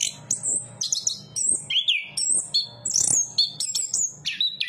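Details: Song of a chestnut-capped thrush, a Southeast Asian forest bird: lively chains of high whistled notes, some held briefly, others swooping down then up, delivered in quick bursts over a soft low drone.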